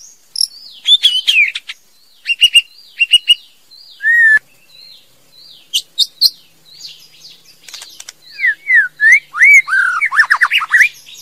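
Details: Song of a female white-rumped shama: scattered chips and short whistles, one steady tone, then quiet notes building to a fast series of rich slurred whistles.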